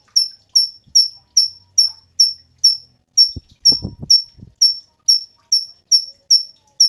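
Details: Cungkok, kept as a tutor voice for competition songbirds, repeats bright high chips about twice a second; a few low dull knocks sound faintly in the background near the middle.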